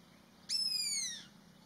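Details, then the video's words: Indian pitta alarm call: a single loud, clear, high whistle that slurs downward and fades over about three quarters of a second, with steady faint background hum. "INDIAN PITTA ALARM CALL"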